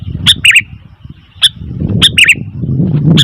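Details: Noisy calling of a sooty-headed bulbul, short sharp chirped notes in small clusters separated by pauses, over a steady low rumbling background noise.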